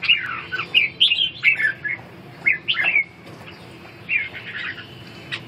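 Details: Red-whiskered bulbul in a dueling song contest: bright, chirpy warbled phrases in short bursts, each under half a second, with brief pauses between them.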